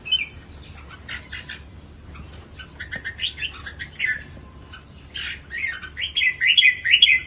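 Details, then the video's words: Red-whiskered bulbul at a song contest, scattered chirps at first, then a quick series of warbled, up-and-down whistled notes near the end. "CHIẾN BINH MÀO LÂN GIÁ"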